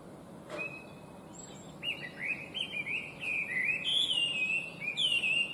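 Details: Chinese hwamei, an invasive introduced species, singing a bright, complex song: after a brief pause, varied whistled phrases with rising and falling slurs, growing louder and richer toward the end.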